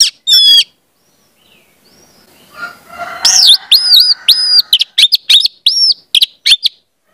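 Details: Orange-headed thrush song used to draw spotted juveniles into song: a brief high trill, a quiet gap, then a lively run of arched, repeated whistled notes alternating with sharp clicks.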